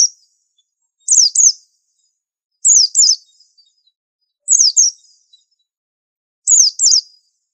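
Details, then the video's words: Pleci master song of a white-eye, called super unique: four neat pairs of high descending whistles repeated about every two seconds against complete quiet. "Pleci super antik masterannya harus unik"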